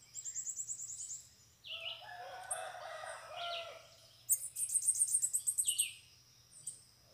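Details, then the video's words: Free bananaquits arriving at a cage with a caged decoy bird: two high buzzy trills of quick repeated notes, the second louder and longer, separated by harsher, lower scratchy sounds and short slurred chirps. "canpeada de sibite chegou varios sibite solto na gaiola"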